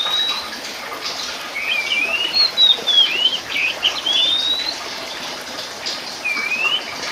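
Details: Oriental magpie-robin of the subspecies Copsychus saularis musicus, locally called kacer poci, sings clear whistled phrases: rising and falling slurs and short bright notes, loudest in the middle seconds, over a steady hiss like running water.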